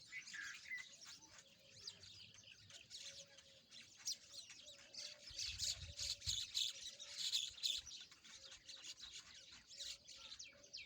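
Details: Several rosy-faced lovebirds playing together chatter continuously with high, harsh chirps and squawky twitters. The calls swell louder midway, with a faint low hum and brief low rumbles.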